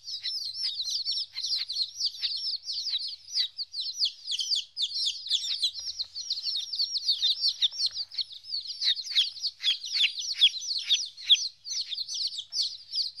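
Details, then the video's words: Baby chickens fourteen days old, newly separated from their mother, form a dense chorus of shrill, rapid peeps that overlap continuously without pause. "Chicks Chirping Sounds - Baby Chicken Sounds"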